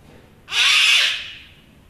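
A cockatoo gives a single harsh, raspy screech about one second long, loud and grating, then falls quiet against a faint background hum.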